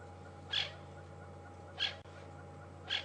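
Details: Francolin alarm calling at Djuma Game Reserve in the afternoon of April 20, 2015, agitated by something like a snake or slender mongoose; three brief scratchy bursts, roughly one every 1.2 seconds, over constant low droning.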